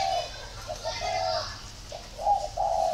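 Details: Brief run of low, throaty spotted dove coos, a long note then several shorter ones ending on two drawn-out notes, with faint high twittering behind.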